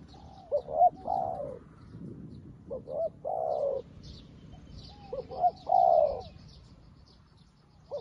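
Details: New decoy spotted dove luring wild doves, calling like an experienced decoy: three phrases of two short rising notes plus a long hoarse coo, spaced about two to three seconds apart, with quiet high bird chirps and low background noise.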